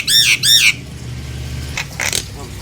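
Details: Nias hill myna calling to lure other hill mynas into song: two loud, nasal, arched squawks in quick succession, then quiet faint notes over a low hum.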